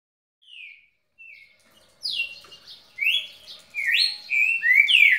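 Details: Kept red-cowled cardinal singing non-stop for over a minute: two faint, short descending whistles, then from the second second loud slurred whistled phrases, some rising and some falling, following one another rapidly.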